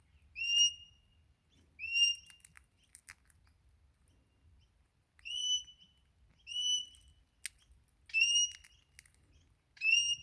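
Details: A wild Crimson Rosella, said to visit a garden almost every morning and seem to call for food, gives clear, bell-like whistled notes, singly or in pairs, every few seconds, with a few sharp clicks and a faint low rumble behind.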